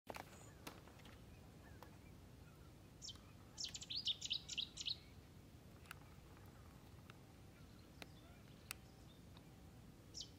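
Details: A water rail (Rallus aquaticus) at the Izliv Soče nature reserve on 15 February 2024 gives a quick run of about six sharp, high, ticking notes lasting under two seconds, over a quiet background with scattered faint clicks.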